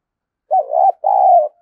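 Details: A spotted dove decoy's stimulating coo, one phrase: a short wobbling note climbing into a held tone, a tiny gap, then a drawn-out smooth coo tapering off. Quiet background.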